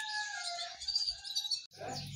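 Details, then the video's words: Myna in Pakistan imitating human speech in Pashto in a nasal, harmonic voice for about a second and a half, ending with a short, lower, rougher phrase. "Amazing Bird Pashto Speaking | Pashto Bolne Wali Myna"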